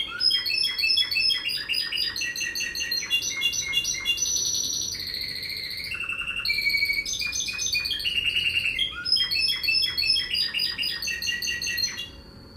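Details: Champion Spanish Timbrado canary sings an intermediate song: a long, rapid, varied run of bright metallic trills, rolls and ringing notes, almost without pause, over a faint low hum.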